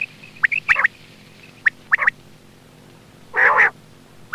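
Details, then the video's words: Quail call used as a hunting lure: short sharp high notes, single or in quick pairs and triplets, separated by pauses, then a louder, longer, rougher burst near the end over a faint steady hum. "Quail bird sound for hunting"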